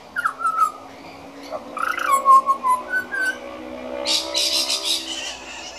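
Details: Practising juvenile pied butcherbird gives short fluty whistles and slurred phrases early on, then a burst of broadband rustling noise takes over, with soft whistling continuing underneath.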